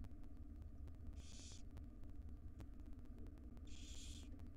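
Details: Five wild barn owl young in a nest box, fed breakfast by their mother, give two broad, breathy screeching hisses roughly two and a half seconds apart against a constant low rumble.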